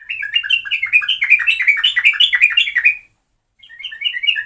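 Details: Sooty-headed bulbul in full, active song for luring: a continuous three-second cascade of fast, liquid chirps, a short gap, then the chattering resumes. Background otherwise quiet.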